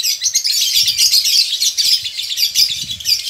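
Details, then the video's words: Male lovebird in a colony, in breeding condition, gives a high, rapidly pulsing chatter with rhythmic bursts about twice a second, over soft low rustling. "lovebird jantan ngekek panjang"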